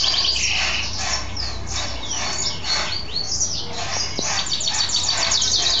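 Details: Male mule goldfinch, happy after bathing and singing: dense high twittering with fast slurred chirps and a brief buzzy passage early on, continuing without pause.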